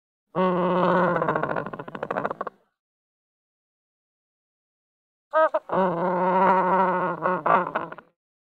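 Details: A Chinstrap penguin gives two loud, harsh, braying bursts about two seconds long, each a pulsing, throaty squawk, separated by a few seconds of silence.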